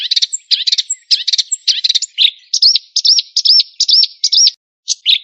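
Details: White-rumped shama singing a varied, high phrase: a run of buzzy chattering notes, then five or six clear looping whistled notes repeated about twice a second, ending with short sharp chips.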